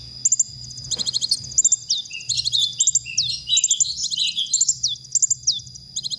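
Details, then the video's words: Masteran recording of a konin singing, used to train songbirds: clustered high chips lead into a dense stretch of rising and falling slurred whistles, with a soft pulsing low hum beneath. "masteran konin"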